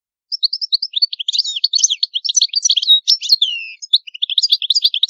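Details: European goldfinch song in the old Palermo Sicilian style, a clean recording made for tutoring young caged goldfinches: a rapid, continuous tumble of bright twittering notes and liquid trills, high-pitched, with brief buzzy phrases, no background noise.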